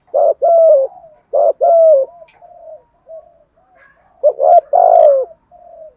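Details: Spotted dove's urging 'thúc gù' coo, played to make caught birds start cooing: low two-part phrases, a short note then a drawn-out slurred coo, repeated with soft humming notes between and a louder fuller phrase near the end.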